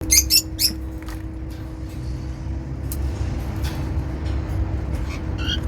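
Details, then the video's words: African lovebirds bathing in an aviary make happy sounds: a quick burst of three or four shrill, harsh chirps, then one or two squeaky calls, over a steady low mechanical hum. "lovebirds bathing and making sounds"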